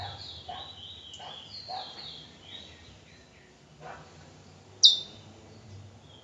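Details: Bullfinch recorded in Trinidad: a few high thin whistled phrases near the start, then quiet background with low rumble and a sharp click near the end.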